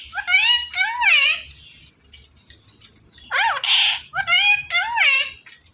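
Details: Pet Indian ringneck parakeet talking indoors, a bird said to follow its owner wherever she goes; quick word-like phrases with bent, harmonic-rich syllables come in a burst, then after a short pause a second run of three or four phrases.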